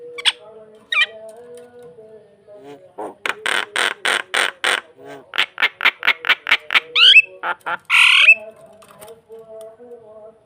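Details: Starling singing to lure another bird, a mix of harsh, buzzy notes repeated in quick rows, scratchy squawks and brief slurred whistles rising and falling between bursts.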